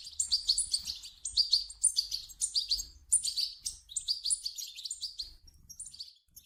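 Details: European goldfinch chicks begging, a recording used to stimulate an adult goldfinch to sing: dense, high-pitched twittering chirps in quick bursts, pausing briefly about every second, with a faint low rumble underneath.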